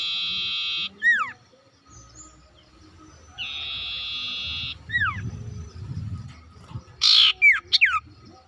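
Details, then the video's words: Sooty-headed bulbul used as a lure to prompt silent birds to sing: short descending whistled slurs between long steady tones, ending in a loud sweeping burst and two further falling notes. "sirtu ngoceh gacor ngotot cocok buat pancingan sirtu macet bunyi"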